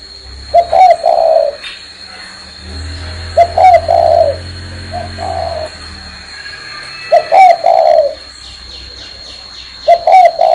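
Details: Spotted dove perched on a person's hand, still cooing: four mellow, low coo phrases, each a quick double note leading into a longer purring coo, every three seconds or so, with a steady faint high whine and a brief low rumble.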